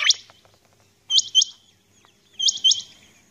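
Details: Female common quail recorded in the morning, giving three clear doubled calls of quick, high upswept notes spaced roughly 1.3 seconds apart in quiet surroundings.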